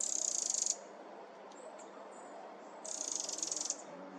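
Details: Eurasian wren chicks in summer, several young birds very loud and unafraid around the recordist; high, thin rapid trilling bursts, two long runs separated by faint short notes.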